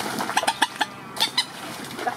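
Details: Moorhen parents defending their chicks and territory: a run of short, sharp clucking notes, about eight in two seconds, some louder than others. The calls are set against faint background hiss.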